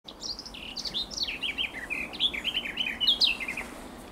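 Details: Bird singing in a tree, recorded 12 June 2023. The song is a lively, varied run of quick high twittering notes, some slurred up or down and some brighter and louder. There is a soft background hiss.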